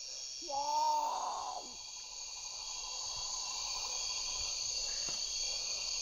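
A great potoo gives one harsh, guttural growl lasting just over a second, rising then dropping away, over a steady high insect chorus.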